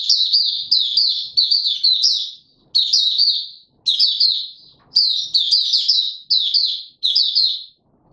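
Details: Male white-eye trained for form, giving its opening song on 31 December 2021; sustained bouts of rapid, high, slurred warbling notes grouped into clusters, separated by brief silent gaps, with very little background sound.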